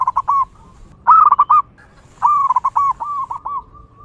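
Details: Singing local zebra dove in the wild, recorded to lure other zebra doves: clipped coos, then a loud rolling burst, then a longer string of bouncy, evenly pitched notes ending in a soft fading tone.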